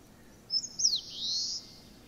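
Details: Eastern crowned warbler song, heard as 'shōchū ippai gui': a high sharp note and a quick slur, then a long, buzzy, steady trailing note fading after about a second; quiet background.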